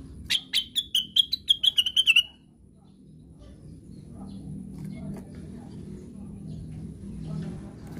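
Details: Plaintive cuckoo in 'ngigau' mode gives a rapid run of roughly eleven piercing whistles, each slightly lower than the last, then falls silent while low murmuring background noise continues.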